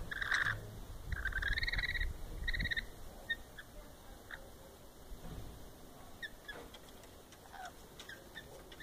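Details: Lorikeets close up in a backyard give three harsh, screechy calls in the first three seconds, then fainter chattering notes, over low rumbling wind and background noise.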